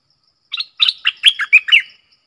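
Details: Red-whiskered bulbul delivering a clear double-phrase song: about seven bright, bubbling chirps in a fast run, several sliding downward, across roughly one and a half seconds with no other sounds.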